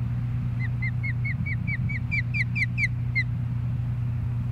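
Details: Osprey at its nest in Hellgate Canyon, Missoula, Montana, in April: a series of about thirteen clear, downslurred whistled chirps, evenly spaced and growing louder and more insistent toward the end, over a steady low hum.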